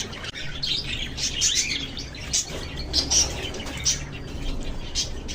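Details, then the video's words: Several lovebirds chirp in quick, shrill bursts, high scratchy notes repeated irregularly, with some wing flutter and a low background hum. "RELAXING LOVE BIRDS CHIRPING SOUNDS"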